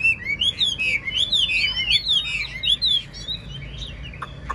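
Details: Wild-caught old Chinese hwamei in a cage, singing a continuous stream of bright, looping whistled phrases that rise and fall, with a few sharp clicks near the end.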